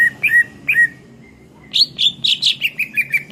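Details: Greater green leafbird in full song: a few clear whistled slurs, a quiet thin tone, then a rapid string of bright, buzzy chirping notes repeated several times per second over low background noise.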